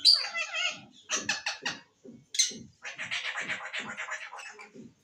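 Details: Green pet parrot talking in quick harsh phrases, a clipped burst of repeated syllables, then a long raspy chattering run, with faint low knocks underneath.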